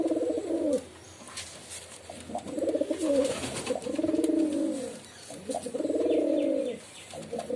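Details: Several drawn-out, burbling pigeon coos, low and vibrating, each about a second long and separated by short gaps, with faint clicks and shuffling in a small room.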